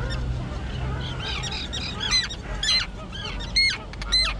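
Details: Young terns, recently fledged and now flying, at their island breeding colony overgrown with dense grass; harsh, downslurred calls with ringing overtones, given in irregular bursts from several birds over a low rumble of background noise.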